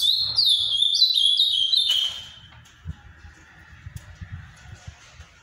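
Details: Paraná-style song of an ultramarine grosbeak, regarded as the finest in Brazil: a two-second run of sweet whistled notes, each slurring down, delivered in rapid succession, then quiet with soft background knocks.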